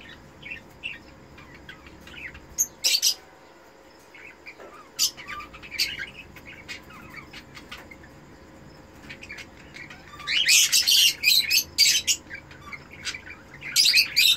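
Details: Captive cockatiel breeder pair, red-eyed Eno type, during mating: scattered short chirps and clicks, then bursts of harsh, rapid squawking chatter near the end, with faint background noise.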